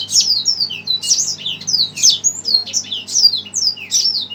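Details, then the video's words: Excited red siskin answering a played recording with a steady run of high, slurred, downward-sweeping notes repeated about once a second. "Red siskin emosi dengar suara BT"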